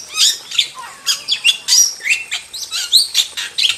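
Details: Short passage of wild starling singing, with rising and falling whistled slurs, high squeaks and scratchy chirps delivered in an irregular, lively series.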